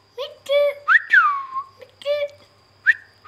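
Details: Pet rose-ringed parakeet, a ringneck, producing talking-like nasal syllables mixed with a long, sweeping descending whistle, then more speech-like notes and a short rising whistle at the end.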